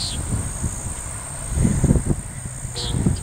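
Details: A male common nighthawk performing breeding display dives next to a house: low, rumbling whooshes from the dives, plus two brief nasal notes, over a steady high insect drone.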